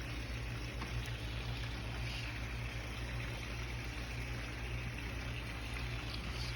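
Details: Steady rushing, water-like noise over a low mechanical hum, with no bird or other animal calls.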